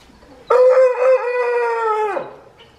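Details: A Reeves's pheasant performing its courtship display gives one drawn-out, nasal, crowing call lasting nearly two seconds, steady in pitch and dropping at the end; nothing else is heard.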